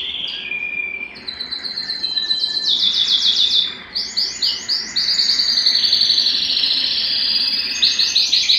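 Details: Canary singing while excited and seeking to mate: high warbles building into rapid rolled trills, strings of sharp repeated chops and a long, fast trill at a steady pitch.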